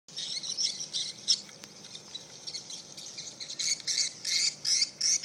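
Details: Large numbers of swiftlets calling in response to a played duress sound: a dense, high-pitched chatter of squeaky chirps in rapid irregular bursts, several per second, swelling and fading throughout.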